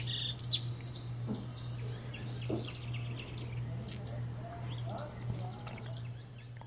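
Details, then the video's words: A lined seedeater singing in full voice: quick bursts of sharp, high chips and short buzzy notes, over a steady low electrical hum. "Bigodinho cantando pra valer"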